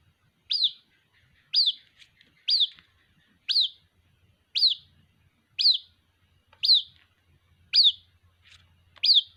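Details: Repeated high-pitched cheeps of a white-breasted waterhen chick summoning its mother, nine sharp downslurred notes about a second apart, with a faint low hum in the latter part.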